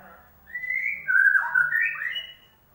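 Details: White-rumped shama song used as a lure for a bird that will not sing: a single rich phrase of smooth whistles rising and falling, loud and clear.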